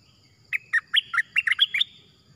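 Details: Cream-vented bulbul, a wild bird answering a decoy, delivers a single lively phrase of about eight bubbly, slurred chirps lasting over a second, with faint insect buzz underneath.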